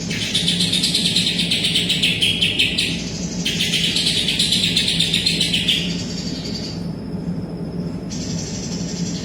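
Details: Greater green leafbird singing vigorously, its song filled with imitated kapas tembak phrases: two dense bursts of rapid, buzzy chirping, each about three seconds long, followed by thinner high notes, over a steady low hum.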